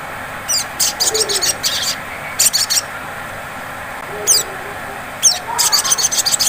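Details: Lure recording of a sunbird (sogon) singing in the ngleper style, used to prompt other sunbirds into song. It gives rapid, high, buzzy trill bursts, some dense and rattling, broken by short pauses, over constant background hiss.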